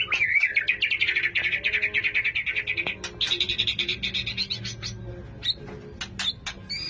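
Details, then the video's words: Male white-rumped shama in breeding condition courting a female, giving a fast, harsh, rapidly repeated chattering trill for about four seconds, followed by scattered sharp clicks and brief high notes. "Birahi Murai Batu Jantan Merayu Betina"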